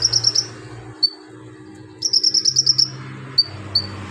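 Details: Javan magpie-robin singing in a vigorous 'ngobra' style, its song filled with imitations of golden grasshopper, lovebird, cricket and cililin. Rapid high, chirping pulses come in bursts of four to eight, with short thin whistled notes between them and quiet low background hum.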